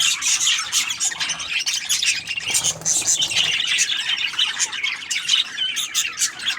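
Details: Budgerigar flock chirping, with shrill overlapping squawks and quick tweets packed closely together and rising and falling slightly in loudness over the few seconds.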